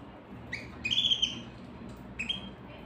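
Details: A canary gives a short, high buzzy trill held for under half a second, preceded and followed by brief upswept chirps; faint hum behind.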